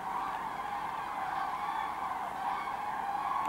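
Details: Common cranes arriving to roost in a wetland at Kvismaren, where about 24,000 are present; a dense, unbroken wall of overlapping trumpeting calls from a large distant flock runs steadily throughout.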